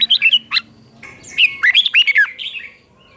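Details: Teacher song of a red-whiskered bulbul in the double style for copying by young birds: a few chirps, a pause, then a tight run of bubbling, downslurred whistled notes fading out.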